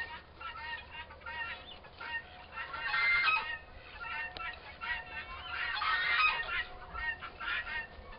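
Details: Scratchy, rasping turkey calls from two roughly four-month-old toms in a prolonged fight, coming in uneven bursts about every few seconds and peaking near the middle and end.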